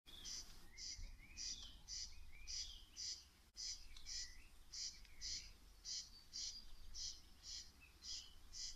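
A corn crake gives dry, rasping double notes, about two per second, over a low background hum. Faint whistles from other birds come through between the rasps.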